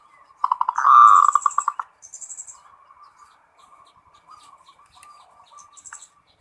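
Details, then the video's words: Local perkutut zebra dove in full ngerot song, played to raise breeding desire: one strong run of quick throbbing coo notes lasting over a second, then low soft cooing, with thin high buzzy chirps from another bird above. "SUARA PERKUTUT FULL NGEROT BIKIN NAIK BIRAHI NAIK"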